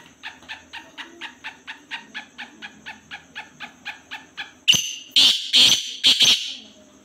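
Black francolin: a steady run of soft ticking notes, about three a second, then four loud, harsh, grating calls in quick succession.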